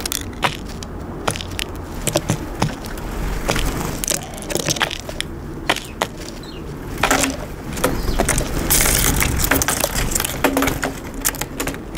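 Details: Sharp crunching and cracking clicks over a low rumble, like handling noise or something being broken, with no clear animal calls.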